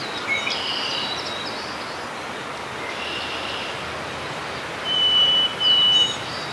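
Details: Harris's sparrow singing at Grant Park, South Milwaukee, Wisconsin, on 14 May 2016: two long, clear whistles on one steady high pitch, the second slightly lower, over steady background hiss.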